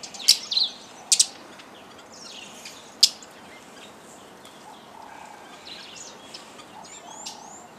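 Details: At a feeder by Lake Elementaita, Kenya, Fischer's lovebirds and hybrids with yellow-collared lovebirds give a few loud piercing shrieks early on, then quieter scattered squeaky chirps.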